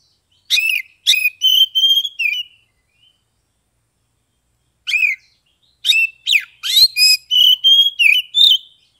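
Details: Oriental magpie-robin, Kebumen, Central Java, performing ngeplong song meant to make quiet birds respond and sing. Two energetic phrases of rapid, varied whistles and harsh chirps, about five notes each, are separated by a three-second pause.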